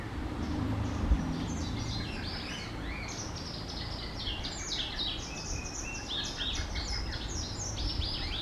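White wagtail giving quick, sharp chirping notes in loose bursts, several overlapping, over low rumbling background noise.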